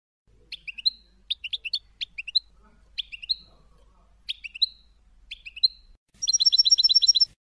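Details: Melodious European goldfinch song, recorded in 2020 to tutor young goldfinches and goldfinch hybrids: high, tinkling phrases of quick twittering notes, spaced about a second apart, ending in a fast, dense, jingling trill.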